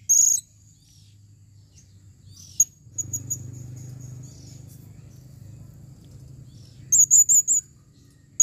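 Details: Female blue-crowned hanging parrot calling in 2021, with a shrill high note at the start, a few faint ticks, a quiet stretch of low hum, then four rapid, quavering high notes near the end.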